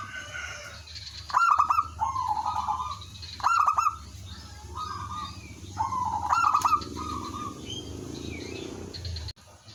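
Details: Local zebra dove used as a calling lure so other doves respond; three rolling, staccato coo phrases spaced about two seconds apart, each opened by sharp clicking bursts, over background hum.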